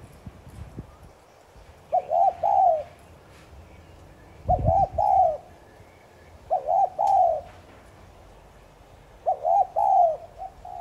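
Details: Spotted dove call used to lure and stimulate other doves; four phrases spaced about 2.5 seconds apart, each a stuttered double coo followed by a longer falling coo, with a brief low thump in between.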